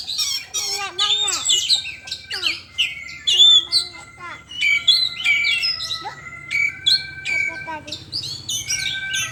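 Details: Kacer pouring out a fast, jumbled song of sharp chirps, downward-slurred whistles and scratchy notes, phrases about every two seconds, with a steady faint tone running beneath.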